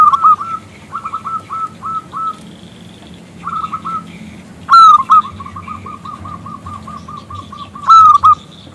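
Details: Zebra dove of a local strain calling a male to sing: short bursts of rapid staccato coos, then a loud rising note that leads into a long, fast, even trill of small coos, and another loud rising phrase near the end.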